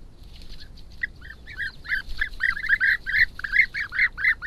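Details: European bee-eaters digging nests near a house at Sao Marcos da Serra, Algarve, Portugal, captured by trail camera; a rising chorus of rolling, burry calls from several birds, growing louder and denser over the last seconds.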